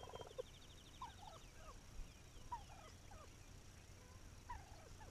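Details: Wild turkey recorded on May 7, 2021: faint, short calls near mid pitch at irregular intervals, some with falling tails, over a steady low rumble, with a brief buzzy trill near the start.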